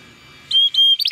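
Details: Timbrado Español canary, a male born in 2020, in a brief training-song fragment: clear steady whistled notes broken by short chirps, ending in quick bubbling notes.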